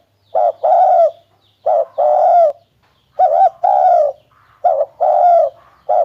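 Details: Spotted dove cooing: mellow, hoarse low phrases, each a short coo followed by a longer drawn-out rolling croo, repeated about once a second with short silent gaps between phrases; no other sounds.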